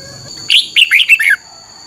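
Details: Short phrase of red-whiskered bulbul song from a morning training recording for caged birds: four or five quick, bubbly, warbling notes run together, set against a thin constant high tone.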